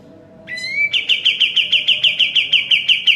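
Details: Sooty-headed bulbul singing actively, recorded as a master for training caged birds: a short upward-slurred whistle, then a quick, regular string of sharp chirps at a steady pitch, roughly three per second.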